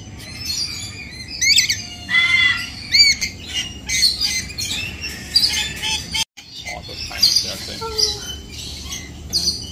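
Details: At KL Bird Park in Kuala Lumpur, Malaysia, colourful parrots such as conures keep up a busy chorus of piercing screeches and rasping squawks, several birds calling over one another.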